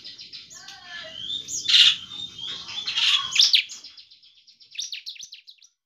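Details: Bar-winged prinia singing in a semi-vigorous style, used as a lure to prompt other prinias to sing: a run of high, sharp chirps and twittering notes with two louder bursts, then a short series of quick, thin repeated notes.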